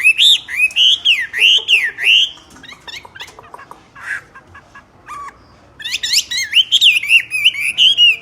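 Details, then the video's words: Myna singing loudly in two bursts of strong, wavering whistled notes separated by a pause with a few soft chirps and scratchy sounds. "طائر المينا يغرد بقوة"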